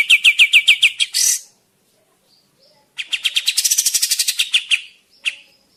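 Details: Actively singing kapas tembak bird, used as a lure for forest trapping: a short series of sharp, high repeated notes ending in a hissy burst, then a longer rapid chattering run after a silence.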